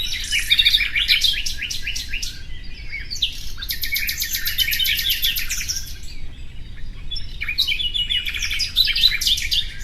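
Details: Nightingale song in bursts of fast repeated notes and rolling trills, a short quieter gap near the middle, then more chattering phrases.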